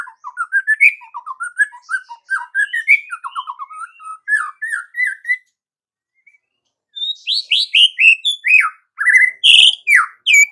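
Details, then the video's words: White-rumped shama singing vigorously, meant to excite other shamas in the morning: rising series of quick whistled notes, a short silence, then bright varied phrases with sharp slurred whistles. "MURAI BATU GACOR || MURAI ANDA LANGSUNG EMOSI"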